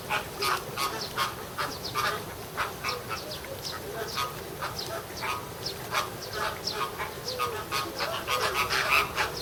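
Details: Group of American flamingos at Ueno Zoo in Japan, recorded June 2016, sounding like a quarrel: continuous chorus of short, harsh, honking calls, overlapping and irregular, with steady crowd-like chatter beneath.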